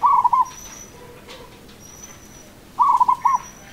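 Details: Zebra dove, local Javanese bird, singing in its prized rhythmic style: two short phrases of soft, rolling, bubbling coos, each about half a second, separated by a long quiet pause.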